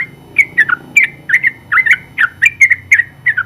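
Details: Long 'ropel' song of a champion Yellow-vented Bulbul used for tutoring: rapid bubbly chirps clustered in twos and threes, warbling between higher and lower notes, with faint low background hum.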